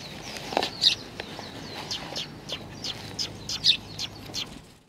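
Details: Young sparrows gather at food, Tenmangu shrine, Nakanoshima, 25 May 2020; scattered sharp chirps and short twittering notes from multiple birds over a low rumbling background.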